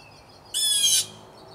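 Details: One harsh, raspy half-second scream from a blue jay, one of three to five jays fighting over territory in a tree beside a house; quiet background before and after.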